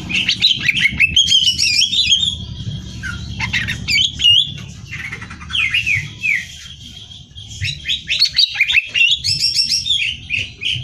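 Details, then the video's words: Nonstop, highly varied song of a greater green leafbird prepared for singing contests: dense bursts of clear whistles, slurs and sharp chips, with short pauses between phrases and a faint low hum throughout. "Cucak Hijau Gacor Hiper Ampuh Buat Bahan Lomba"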